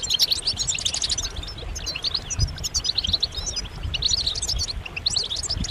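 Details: Several European goldfinches giving mating calls to set males singing, rapid high twittering phrases and sharp chirps overlapping, over a low background rumble.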